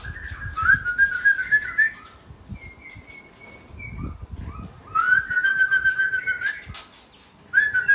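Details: Aceh white-rumped shama song with fill-ins: long wavering whistles, some sustained and level, others quavering, in phrases separated by short pauses, with low background noise.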